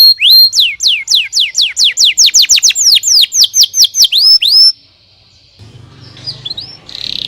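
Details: Singing canary, song claimed to set off the neighbour's canary: rapid bright whistled notes, first rising then falling sweeps repeated about three per second, ending in a held whistle, followed by a quieter gap and soft distant chirps.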